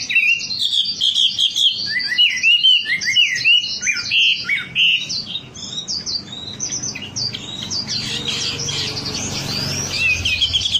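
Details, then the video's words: Wambi song from a lure recording: fast, varied chirps and short whistled notes pour out for several seconds, then fade into softer, more distant twittering over background rumble. "Suara pancingan burung wambi agar cepat gacor"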